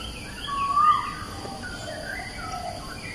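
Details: Asian koel singing at Bukit Batok East, opposite Bukit Batok nature park, on 14 September 2021: one loud, clear rising whistled note rings out over a busy background chorus of other birds twittering and chirping.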